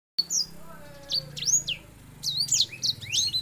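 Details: A male Grey Singing Finch in breeding condition, singing to court a female, pours out a fast, high song of bright whistled sweeps, rising and falling slurs and thin twitters, over a faint low hum.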